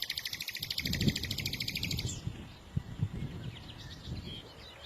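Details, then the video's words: Small birds singing: a rapid, even, buzzy trill of high notes for about two seconds, then softer scattered chirps, over steady low rumbling background noise. "إذا كنت تعشق سماع تغريد العصافير فلا تشتري قفزا فديو لعشاق تغريد العصافير"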